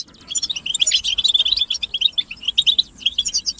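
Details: European goldfinch chatter described as mating and readiness calls for stimulating singing; a quick run of sharp high chirps gives way to spaced, clipped twitters repeated a few times each second.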